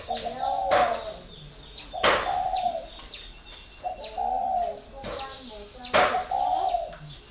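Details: Spotted dove, caged for four years, repeats soft hollow coo phrases about every two seconds, each a quick note then a longer wavering coo, with sharp clacking knocks between.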